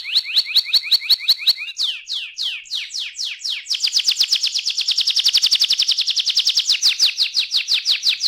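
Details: Canary song: rapid repeated high notes in trilled phrases, shifting after about two seconds into fast downward-sweeping notes, then a long steady buzzy trill of about three notes per second.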